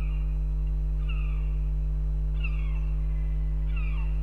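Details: Female northern goshawk in Riga, Latvia, on February 18th, calling for her partner; drawn-out, slightly falling wailing calls given singly about once a second, over a steady low electrical hum.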